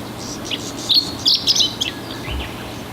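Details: Chestnut-eared bunting singing at Oku-Nikko, Japan: a quick phrase of bright, chirpy high notes, several short clipped elements run together over about a second, with a faint later note over quiet background hiss.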